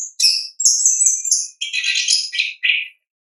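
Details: Orange-headed thrush singing its natural 'ngeplong' song, used as a lure for birds slow to sing: high sweet whistled notes followed by a run of rich, dense warbled phrases in quick succession, clean and quiet behind.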